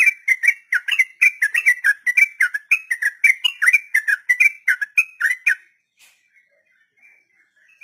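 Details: Sooty-headed bulbul in long 'ropel' song, used to tutor captive beginners: quick whistled notes about four per second for five seconds, then stopping, leaving only a few faint, distant notes.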